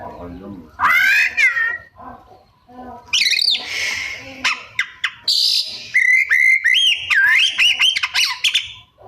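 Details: Caged white-rumped shama (kacer) singing a varied imitative song: loud whistled slurs, harsh rasping notes, sharp clicks and rising-falling warbles in quick bursts.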